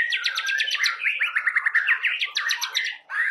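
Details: Young white-rumped shama, a fledgling murai batu, sings a rich, fast song: rapid bursts of sharp repeated notes alternating with warbled, slurred whistled phrases, continuous and varied with no pauses, in a quiet indoor setting.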